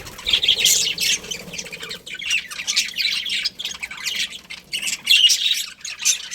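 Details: Budgerigar breeding pair giving harsh, scratchy squawks and chirps in short irregular bursts, some squeaky notes rising out of the chatter, with small pauses between phrases.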